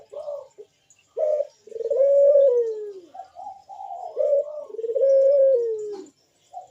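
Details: Barbary dove giving a loud, sharp 'bekur' coo, played to draw other doves into calling: short low notes, then a long smooth coo that falls away at the end, repeated about every three seconds.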